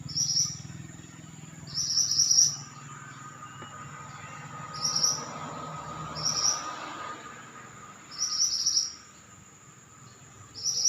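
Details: Pied bushchat singing actively: short bright chattering bursts roughly every two seconds, high and slightly descending, with quiet gaps between phrases over a steady high electronic hum.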